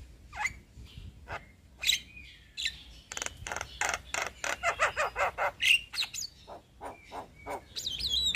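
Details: Male black-winged starling giving loud whistles and a run of harsh, rapidly repeated rasping notes, ending on a high wavering whistle; faint background hum.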